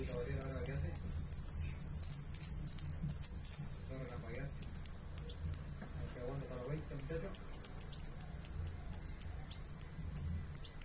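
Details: Uruguayan saffron finch delivering a fast run of high downslurred notes, then a long dense series of sharp repeated chips, with soft talking faintly behind.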